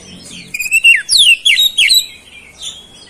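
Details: Brief, vigorous phrase from an oriental magpie-robin singing flowerpecker-style mimicry, a rising whistle followed by several loud, rapid downslurred notes and a faint closing chirp.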